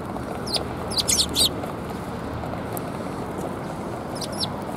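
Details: Several sparrows seeking food at a Tenmangu shrine on 24 February 2021 give a tight cluster of loud high chirps around one second in, then a few more near the end, over a faint low rumble.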